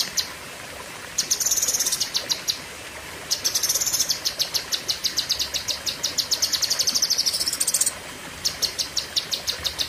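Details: Long 'pedes panjang' tembakan of a lesser green leafbird (cucak kinoi): several extended bursts of piercing, high, rapidly pulsed notes, the longest running about four seconds, divided by short silences.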